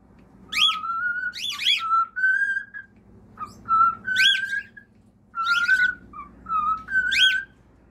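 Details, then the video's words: Singing cockatiel: phrases open with quick, steep sweeping chirps that lead into clear, level whistled notes. The pattern repeats several times. "Enchanting Cockatiels Singing Various Songs"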